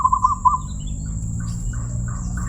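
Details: Perkutut, the zebra dove, prized for a crystal voice, delivering a single brief phrase of fast, rolling coo notes at the start, followed by faint soft chirps over a low hum and steady high whine.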